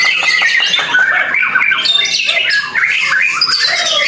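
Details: Newly moulted white-rumped shama at its debut singing contest, delivering a dense, loud stream of clear whistles mixed with harsh, scratchy notes and rapid chatters in quick succession.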